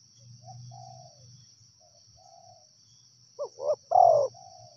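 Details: Soft, distant coos from a wild spotted dove lead into a louder phrase of two quick notes and a long sliding croo, with an unbroken high-pitched insect whine behind.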